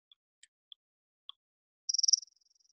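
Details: Palm Warbler call: a few scattered high ticks, then a quick, buzzy, insect-like trill of about eight rapid pulses that fades away, resembling a Chipping Sparrow but given less often. Seen through migration in wetlands. Otherwise quiet.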